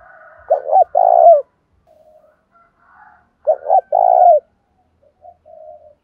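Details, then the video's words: Đồng pha song of a spotted dove, given to spur captive doves to coo and sing along. Two loud phrases, each short stammered notes then a long rolling coo, alternate with softer coos from a second dove. "Chim cu gáy ĐỒNG PHA thúc đấu rút bổi"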